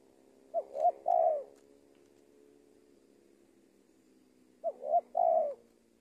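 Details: Spotted dove kept as a luring decoy in Indonesia repeats a clean three-part coo twice, roughly four seconds apart: two quick short hoots then a longer, slightly falling coo, against a quiet background.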